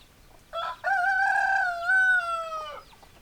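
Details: Rooster giving a full crow: a short clipped opening note, then a long, loud, level harmonic note of about two seconds that slides gently down at the end.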